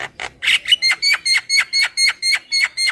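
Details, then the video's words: Lure call of a Javan myna, super kenyih style: evenly spaced, harsh, nasal squawks, roughly four each second, held steady throughout. "SUARA PIKAT JALAK KEBO SUPER KENYIH"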